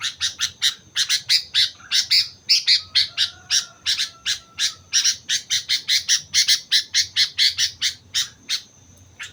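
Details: Sooty-headed bulbul from Mount Slamet in lively, persistent song: a rapid, steady run of bright, sharp chirps, several per second, continuing without pause against a faint low hum.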